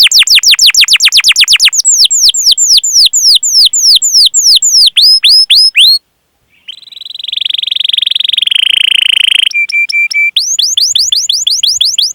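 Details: Canary lure song with 'cuit cuit' calls and rolls: quick bursts of high falling whistles for six seconds, a brief silence, a long buzzy roll, a steady flat chip series, then swooping notes again.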